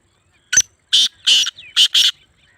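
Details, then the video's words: Black francolin in Sindh, Pakistan, giving its harsh, grating call: a short click followed by four loud, rasping, buzzy syllables in a fast, uneven rhythm within about a second and a half, in a quiet setting. "Sindhi Kala Tetar Awaz"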